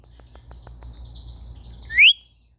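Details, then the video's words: Playful pet Indian ringneck parakeets, phone recording: faint thin tones and soft ticks, then one loud, sharply rising squawk that cuts off abruptly. "Indian Ringneck Parrots playing"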